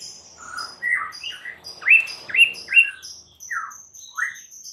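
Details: White-rumped shama lure song, meant to snap stressed shamas into loud, lively singing: a run of rich slurred whistles, downslurred and upslurred notes with bright high overtones, loudest around the middle.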